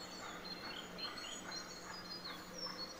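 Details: Black redstart nestlings in a nest about 1.5 m up under a veranda eave of a country cottage, fed by their mother, give thin, very high cheeps, scattered and irregular, over a steady low hum.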